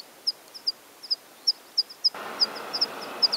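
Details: Water pipit in spring plumage giving its spring song: short, high, clipped chirps spaced about every third to half second, some doubled, against a quiet background that turns to a steady hiss partway through.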